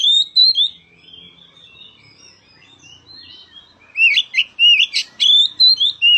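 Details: Oriental magpie-robin singing to provoke a quiet magpie-robin into song; a soft warbled phrase fades into near silence, then a burst of loud slurred whistles and sharp clicks repeats rapidly over the final two seconds.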